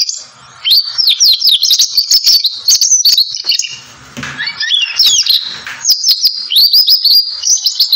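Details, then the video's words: Belgian canary singing: a continuous, high, rapid song of rolling trills, chirps and quick rising and falling whistled notes, with a brief quieter dip midway, then fast twittering phrases resuming. "Canto do canário Belga"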